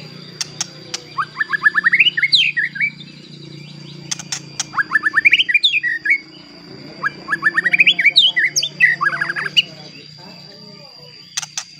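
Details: White-rumped shama bait song used to provoke rival shamas: three bursts of rapid repeated rising chips and twittering notes, separated by pauses, with sharp clicks and a low hum and high whine behind.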